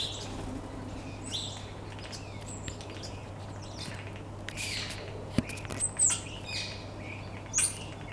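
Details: A common starling sings in a back garden on 2 February 2015, a rambling medley of wheezy notes, clicks and sharp high whistles over a steady low hum.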